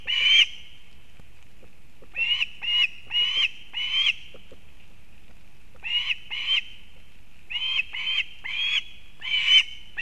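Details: Osprey mother bringing a fish to her nestling in Kurzeme, Latvia, on 31 August 2024: clusters of two to four sharp, high whistled chirps separated by short pauses, against quiet background.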